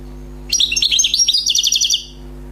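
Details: Newly trapped wild European goldfinch singing: a quick burst of bright, twittering notes with liquid trills, lasting about one and a half seconds, over a faint steady low hum.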